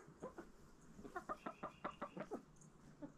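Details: Chickens in a backyard feeding on pumpkin in fall, giving a quick run of about a dozen short, evenly spaced clucks, several per second, over faint background noise.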